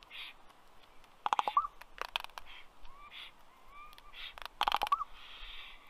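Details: Raven on a visit to a black stork nest tree in Karula National Park, southern Estonia, afternoon of 27 May 2023, nest camera; quick rattling clicks in two bursts, interspersed with brief hollow and gliding notes.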